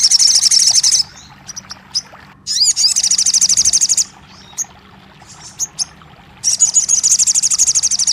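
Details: Crested jay, used to prompt a silent bird to sing: a fast high rattle, a second rattle opening with rising whistles, scattered soft notes in a quiet stretch, then a final long rattle.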